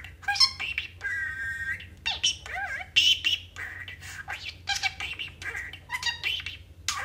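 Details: Household budgie in a small room chatters and squawks, a mix of harsh scratchy bursts, a held nasal whistle near the first second, and quick rising warbled notes repeating throughout.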